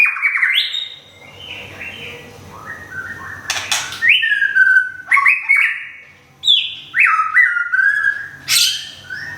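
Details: Kept white-rumped shama from Thung Song, Thailand, nearly through its moult after a move. Its varied song mixes rising and falling whistles, stepped slurred notes and a few harsh, scratchy bursts, delivered in quick, irregular phrases.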